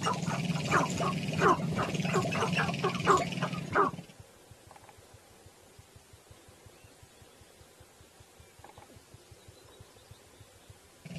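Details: Male Sharp-tailed Grouse dancing to attract a mate in Northern Colorado: four seconds of loud, rapid cackling and hooting notes, then soft, fast low ticking like stamping feet.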